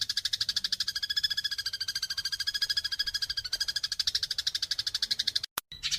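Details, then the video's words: Fighting house sparrows giving a continuous harsh, buzzy chatter of rapid pulses, about three per second and unbroken for five seconds, then a brief cut and a final chirp. "SUARA MASTERAN BURUNG GEREJA TARUNG"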